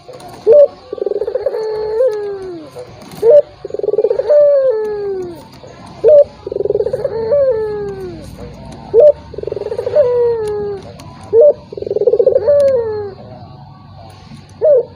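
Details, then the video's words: Repeated calling of a turtle dove, aimed at drawing a hesitant rival into calling: five phrases of a short loud note, a pulsing coo and a drooping glide, over a faint background hum. "PANCINGAN BURUNG PUTER || COCOK UNTUK LAWAN YANG MALAS BUNYI"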